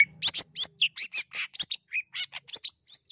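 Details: Long-tailed shrike calling to rouse a quiet or shy shrike into song: a varied burst of loud, raspy and squeaky notes with a few lower whistled slurs, delivered quickly with a faint low hum early on.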